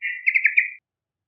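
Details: Young Yellow-vented bulbul in energetic song, used for luring other birds: one brief rich bubbling phrase of four quick pulsed notes, then silence.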